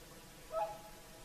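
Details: At sunset on the Lake Saimaa shoreline, whooper swans sing their evening concert; a single resonant trumpet note, slightly wavering and held about three tenths of a second, stands out over calm background noise.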